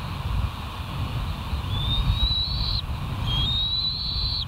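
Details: Bald eagles at the West End nest, 06:15 on 07/03/2023: two thin, high whistled calls, each about a second long and rising slightly, over a heavy low rumble of wind.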